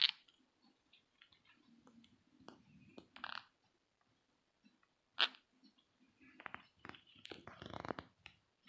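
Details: Weird noises from a household family of green-cheeked conures, a normal father, yellow-sided mother and three chicks: scattered clicks and soft chatter, two sharp piercing squawks, then a burst of rough, overlapping scratchy calls near the end.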